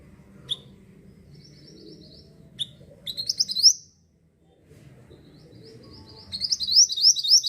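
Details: Javan sunbird (mantenan) singing energetically, used as a lure for wild birds: brief high thin chirps, then rapid bursts of sharp high twittering notes near the start and end, with soft low background rumble.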